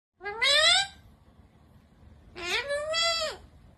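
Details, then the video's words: Ringneck green parrot talking: two voiced, speech-like utterances with rich harmonics, the first short and rising, the second longer with a rising then falling tone, separated by a second of quiet background hum. "Natural Sound of Talking Ringneck green parrot"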